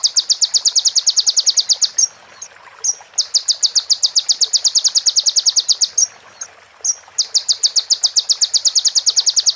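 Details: Konin, the crimson sunbird, singing on a clean training recording, with pauses between phrases: three long runs of fast, sharp, high-pitched repeated notes, separated by brief thin whistles and quiet gaps.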